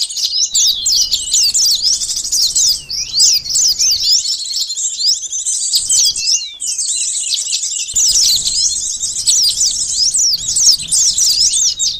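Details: Sunbird song for luring birds: long, energetic runs of shrill, rapidly sweeping chirps with a brief pause around six seconds, then more intense twittering.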